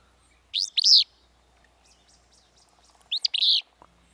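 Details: Song of a Willow Flycatcher, a western Washington breeder: two emphatic sneezy phrases about two and a half seconds apart, each a short high note followed by a burry slurred note, with faint soft chatter between them.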